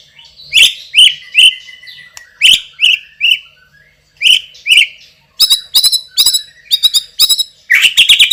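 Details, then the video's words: White-rumped shama song, loud and strong, mixing slurred whistled notes with bursts of sharp chattering clicks in uneven groups. "MURAI BATU juara isian super PEDAS_suara lantang dan keras"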